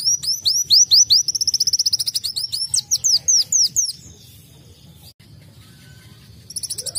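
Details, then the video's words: Sunbird singing in canary style: fast series of high, bright upswept whistles, then a rapid even trill of repeated notes, more slurred whistles, a pause, and a renewed burst of quick high notes at the end. "KOLIBRI WULUNG KENARIAN"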